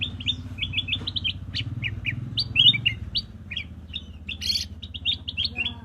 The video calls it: black-crested bulbul chirping sound